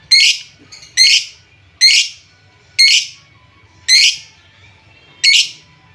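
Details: Lovebird calls used to stimulate sluggish lovebirds to sing: loud harsh squawks repeated about once a second, each a short rasping burst, over a faint low hum.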